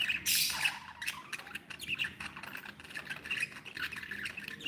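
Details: Cheerful pet budgerigars: a harsh rasping screech opens, followed by continuous rapid, scratchy warbling chatter with quick clicks and squeaks.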